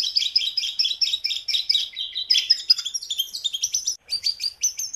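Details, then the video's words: Actively singing Jungle babbler, recorded as training material for caged birds: a dense run of quick high chattering notes that changes into bright, sharply falling chirps in the second half; no other clear sounds. "JONGKANGAN gacor"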